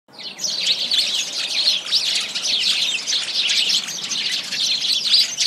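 Starlings in a dense chattering mass: overlapping high squeaks, clicks and whistles pour out without pause, many birds calling at once.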